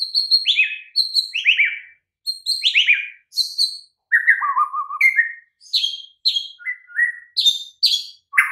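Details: White-rumped shama master recording meant to make mute birds sing: repeated downslurred whistles, a low rolling trill, then varied high and mid-pitched whistled notes in quick succession.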